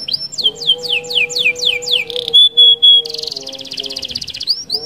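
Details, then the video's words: Rolling canary song intended to trigger singing in other canaries: a string of swooping high whistles about four per second, a pure held tone and a dense buzzy trill, over a steady low humming tone. "SUARA KENARI Gacor Roll Sped Mantap - Cocok Buat Pancingan Kenari Anda."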